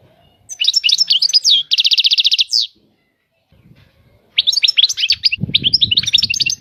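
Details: European goldfinch twitters, then gives a rapid rattling trill. A pause follows, and a long bright jumble of chirps plays over a low rumble at the end.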